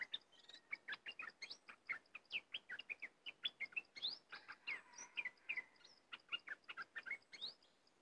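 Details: Cream-vented bulbul singing a dense, continuous run of short chattering and warbled notes, quick upslurred and downslurred phrases mixed together, with a faint steady high ticking in the background.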